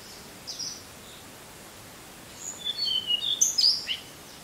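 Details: Type 2 song of a Tickell's blue flycatcher, starting after a quiet pause as a rapid series of short, very high, thin whistles and squeaky notes in quick succession, with soft environmental hiss behind.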